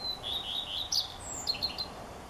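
A common redstart sings one short phrase: a thin, high drawn note, then a quick run of bright, scratchy twittering notes. Faint background hiss.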